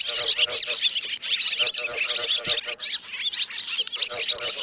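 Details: Swallow; roosting call; calls of birds settling to roost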